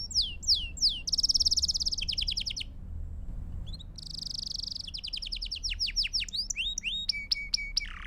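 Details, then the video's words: Belgian canary song meant for teaching young birds: separate tours of rattling rolls and buzzy trills, a brief pause, then more rolls and swept whistles ending in sharp chirps. "Sons Para Canário Belga em Sessão Contínua"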